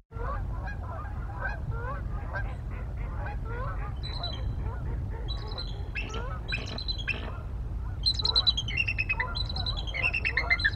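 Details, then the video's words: Two adult bald eagles call together on the Mississippi River Flyway on 1 December 2023. Lower chirps come first, then high, stuttering, piping series begin. A steady low rumble runs throughout. "Both Adult Bald Eagles vocalize!"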